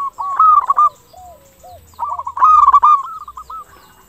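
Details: Local zebra dove in full song, a clear-voiced lure meant to make other doves answer: two bright phrases of rapid bubbling coos, with softer drooping coo notes in the pause between them.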